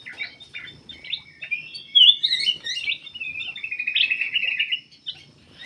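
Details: Captive black-capped bulbul in full song, used to draw other birds into singing: a lively run of sweet warbled notes rising and falling, ending in a fast even trill, over a faint constant high whine.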